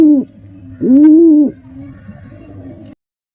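A male pigeon coos to a female: a clipped low note, then one long, swelling hoot that rises and falls, with a soft hum underneath.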